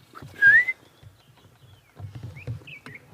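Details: An oriole at sunrise on a 2 June safari drive at Djuma gives a single loud, liquid whistle sliding upward, followed by softer scattered chirps from other birds over a low vehicle engine rumble.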